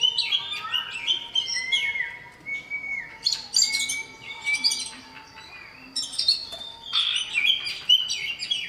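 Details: Calling male common iora, directed at a female: loud chirping phrases and drawn-out whistled notes in separate bursts, with short quiet gaps between groups.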